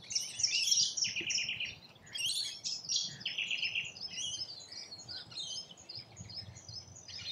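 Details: Rainbow lorikeets at a feeding spot in Australia, with loud harsh screeches and rapid stuttering chatter notes in clustered runs, many birds calling at once, easing off in a quieter stretch near the middle.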